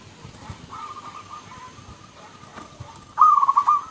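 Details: Local zebra dove, several birds answering each other: a faint distant rolling coo, then a closer, louder burst of quick bubbling notes near the end, over steady background noise.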